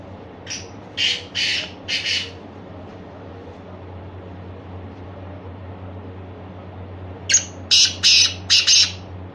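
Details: {'caption': 'Black francolin (heera) calling twice: each phrase is a series of four or five harsh, scratchy bursts, separated by a long quiet gap with a constant low hum.'}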